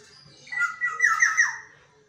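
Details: Black-naped oriole kept as a caged pet that sings at dawn: a mellow, liquid whistled phrase of several linked rolling notes lasting about a second, in a quiet indoor room.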